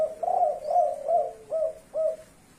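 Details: Kuk 5 style cooing from a spotted dove of the blorok leopart type: a drawn-out first coo slurring into four shorter, clipped coos spaced about half a second apart, clear and close.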